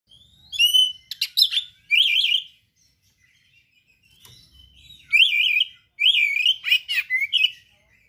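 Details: Oriental magpie-robin, a kept songbird, in full, vigorous song with mimicked material: loud whistled phrases and wavering, trilled notes around high pitch, delivered in bursts separated by short pauses.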